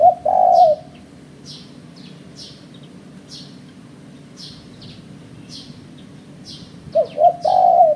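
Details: Spotted dove calls for luring trapped birds. A long coo opens, followed by six seconds of only quick high chirps from another caller at about one per second, then a fresh phrase of two short hoots and a drawn coo.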